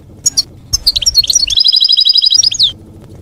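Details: European goldfinch singing campero song, meant for juveniles and moulting birds to imitate; quick liquid twittering flows into an even, fast rattled trill, closing on a downslurred note.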